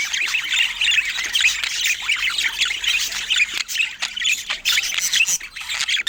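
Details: A group of rare budgerigars keeps up lively overlapping chirping: rapid warbling notes, scratchy squawks and sliding squeaks, loud and steady throughout with small dips, and no voices or music.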